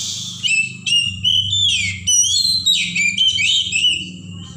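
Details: Wild Oriental magpie-robin of the forest pouring out a fast, varied song of bright whistled notes, slurs and trills with barely a pause between them, over a low humming background.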